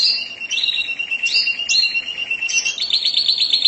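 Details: Canary in 'mabok teler' song: a sustained whistle under a sequence of rapid repeated notes, with sharp upward chirps, finishing in a bright quick trill, against steady background noise.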